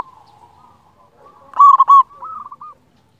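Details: Local zebra dove with a big voice, used as a master song for silent doves: faint low coos lead into one loud stuttering cooing phrase, then a softer rolling trill.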